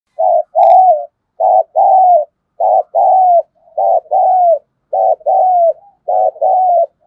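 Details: Decoy spotted dove kept to lure wild birds, giving its calling coo: low, mellow cooing phrases of two or three notes, the last note long and slightly falling, repeated with short pauses through the clip.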